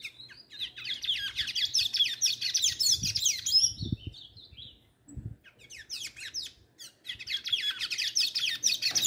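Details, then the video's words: A pair of tanagers singing a busy run of high, squeaky chirps and twitters, with a brief pause midway and a few low knocks and thumps in the background. "pareia de sanhaço cantando"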